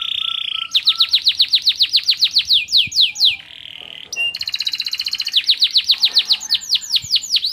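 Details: Canary singing white-eye (pleci) material to excite other birds. A low rattling opening leads into long strings of crisp, rapid swept notes with short pauses between bursts; occasional faint clicks sound in the background.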